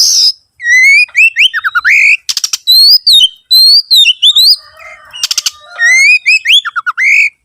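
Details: Oriental magpie-robin in full, varied song, used as a lure to get other birds singing. Rich rising and falling whistles and fast descending notes alternate with brief buzzy rattles, almost without pause.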